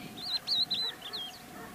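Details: Crested lark calling with a string of four or five sweet, high whistled notes, each twisting up then down, closely spaced within about a second, against a low steady hum.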